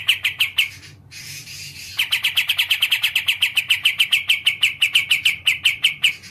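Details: Olive-winged bulbul (kapas tembak), a kept songbird; a few piercing chips, a short muffled lull, then a long, quick, evenly paced stream of bright high notes over low hum.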